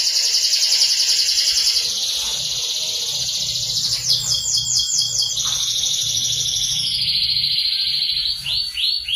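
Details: Caged canary singing vigorously, used as training song for magpie robins: a dense, continuous high warbling with rapid trills and a buzzy rolling phrase midway, ending in quick upswept notes; faint low hum beneath.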